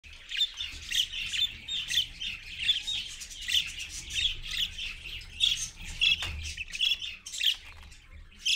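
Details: Parent parakeet with babies, recorded live at 6:20 AM on 4.1.15: a steady run of harsh, grating squawks and chatter, several bursts each second, fairly loud and continuous throughout.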